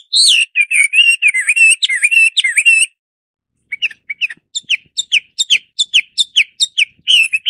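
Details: A Chinese hwamei (Garrulax canorus), also called hwamei, sings a loud, rich run of warbled whistles, then after a brief pause delivers bright, clear notes repeated about twice a second.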